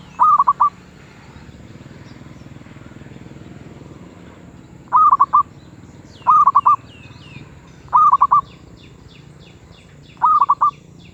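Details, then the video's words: Zebra dove cooing in 'suara sedang' (medium voice) style, five rapid four-beat rolling phrases spaced irregularly after a quiet start, while small birds twitter thinly in the background. "Merbuk suara sedang"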